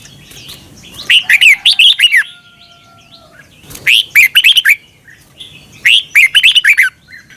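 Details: Red-whiskered bulbul song in a doubled style from Thailand, for caged birds to learn: three similar phrases about every two and a half seconds, each a string of bouncy, liquid whistled notes.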